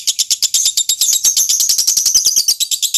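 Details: Lovebird training recording of a competition-style bird with a long "ngekek" chatter: a long, shrill, unbroken run of high, scratchy notes at about eight pulses a second, with no other sounds.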